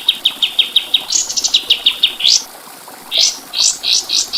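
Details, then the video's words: White-eye song used as training audio: evenly spaced high chips, a brief harsh rising burst, then several loud upsweeping rasping notes. "Masteran Burung Kapas Tembak"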